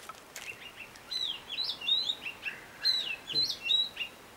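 A robin sings a quick, varied warble of high, liquid notes and thin whistles, each phrase changing pitch, over faint background hiss.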